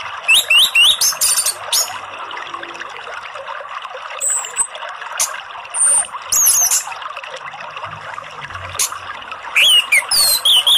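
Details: An orange-headed thrush sings a training song over a steady background of trickling water, giving varied high, rich whistled phrases and sharp chirps in bursts every second or two.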